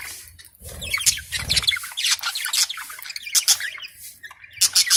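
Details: Many lovebirds on a bird farm chatter in shrill, overlapping chirps and squeaks, a busy flock sound.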